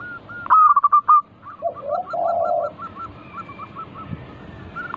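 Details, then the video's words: Local zebra dove singing, used as a lure to prompt other doves to sing: a burst of loud staccato notes, then low mellow coos, with a row of short clipped notes repeating quickly behind. "Pancingan burung perkutut lokal gacor - 100% bikin cepat bunyi langsung nyaut manggung"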